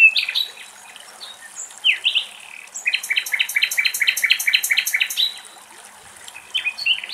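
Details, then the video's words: Common nightingale singing in Greek countryside, a loud run of rapid repeated chopped notes in a rhythmic series, preceded by short whistles and a sliding note, with scattered phrases before and after over a soft rushing background. "Αηδόνια Κελάηδημα - Hoopoe bird and Nightingale song"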